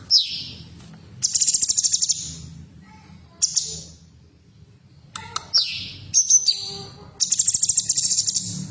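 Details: Female cucak cungkok bulbul, used as sound therapy to stimulate caged birds to sing: harsh, buzzy high-pitched bursts, some dropping sharply, with pulsed rattling trills between quiet gaps, over a low steady hum.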